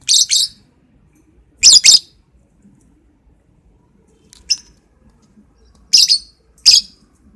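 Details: Lovebird heard in the morning: loud, shrill paired shrieks repeated in bursts roughly every one to two seconds, with one short single chirp between, against a quiet background.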